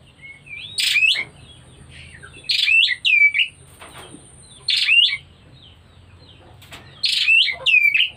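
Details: Oriental magpie-robin in early breeding condition repeats loud phrases about every two seconds, each a harsh buzzy burst sliding into a clear rising whistle, with softer twittering between and a faint steady high hum.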